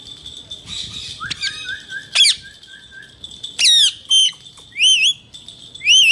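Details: Male Indian ringneck parakeet uttering soft stepped chirps, then loud slurred squawks and a rapid series of three identical wavy whistles at the end, over a constant high tone.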